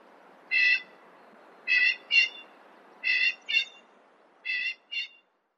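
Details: Common pheasant uttering clipped, nasal notes, mostly in paired bursts with gaps of about a second between pairs, over a steady low background hiss.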